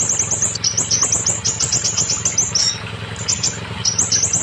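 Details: Scarlet minivet song played to prompt young, silent or molting caged birds to sing: a rapid, continuous run of high, thin chirps and short rising notes, briefly pausing near the middle, over a low steady hum.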